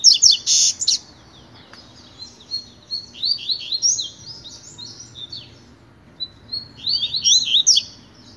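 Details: Double-collared seedeater singing pure tui-tui song as a tutor for training: a loud opening buzz, then strings of sweeping whistled chirps and a final quick rising and falling phrase.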